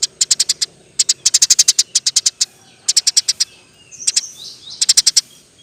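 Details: Eurasian tree sparrow song used as a model for training other birds: fast trains of sharp, high ticking chirps in bursts of five to ten, separated by short pauses, with a faint scratchy note between bursts.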